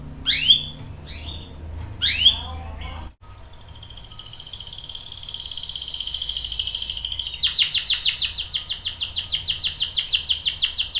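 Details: Canary, a young male answering a female in breeding condition calling the male: two sharp downslurred chirps, then a long rolling trill that builds in loudness into fast pulsed notes, over a low hum.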